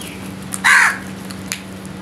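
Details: A single harsh, nasal crow caw lasting about a quarter second, given in the morning, with faint high bird chirps around it and a low steady hum.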